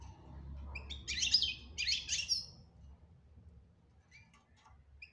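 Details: Goldfinch song of the betbta type with tasfia, aimed at getting a quiet goldfinch to sing: two loud, dense bursts of tinkling twitter, then sparse faint chirps over a low background hum.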